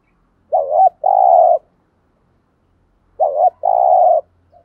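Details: ["Spotted dove singing 'thúc gù', meant to stir wild doves into cooing in reply. Two identical phrases about two and a half seconds apart, each a short warbled coo followed by a long, even, vibrating note."]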